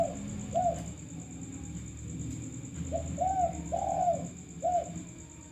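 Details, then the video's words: Male spotted dove on a lure recording gives a pair of soft coos, falls quiet, then delivers a four-note phrase of hollow, slightly downslurred coos. Faint high whine and rumbling noise in the background. "Pancingan derkuku kuk 1"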